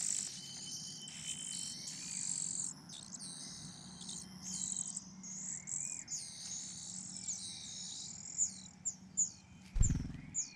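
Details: Rufous-bellied niltava at a nest in Yunnan, China: dense run of thin, very high chirps and short whistled notes with quick up-and-down slurs, a steady low hum beneath and a thump near the end.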